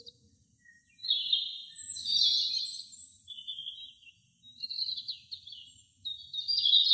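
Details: An American robin sings in a forest, a string of short, clear, high phrases, some slurred and some thin and squeaky, coming every second or so against a quiet background.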